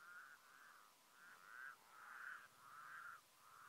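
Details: White-naped crane in Mongolia, 2015, giving a steady run of loud, trumpeting notes, roughly one to two each second at a fairly even pitch, over faint background hiss.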